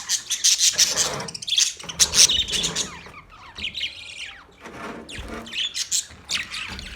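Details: Thirty pairs of budgies in a colony, loud sharp chirps and squawks at close range over a softer background chatter, with some rising and falling whistled notes.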